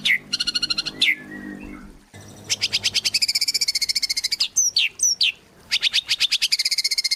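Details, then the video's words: Murai batu, the white-rumped shama, sings a lively lure song, fast rattling pulse trains alternating with sharp rising whistles, a short low rumble of background noise early on, then sustained rapid buzzy bursts to the end. "AMPUH buat PANCINGAN Murai Batu Agar Bunyi"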